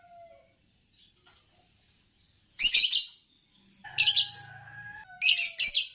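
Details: Champion green Fischer's lovebird from the Indonesian song-competition scene utters three harsh, buzzy chirp bursts over a few seconds, the later two joined by level whistled tones and a low droning hum.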